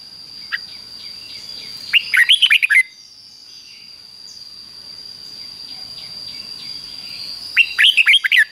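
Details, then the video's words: Caged Red-whiskered Bulbul singing its doubled 'fik-jik-fok' phrase, played daily so young birds copy it: a lone short note, then two quick runs of bright rising whistles roughly five seconds apart, over a persistent high hum. "นกเบิ้ลอาชีพง่ายๆ ฟิก-จิก-ฟก ล้วนๆ เปิดไห้ลูกนกฟังทุกวันติดแน่นอน"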